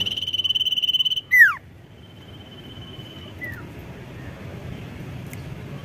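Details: Sirtu singing vigorously to provoke rivals: a steady, rapidly pulsed high trill lasting over a second, then a sharp downward-sweeping whistle and a fainter, thin sustained note with a short falling slur.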